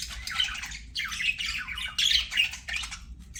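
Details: Several budgies sing in rough, buzzy warbled phrases of about half a second each, with short whistle notes, slightly softer and over a faint background hum.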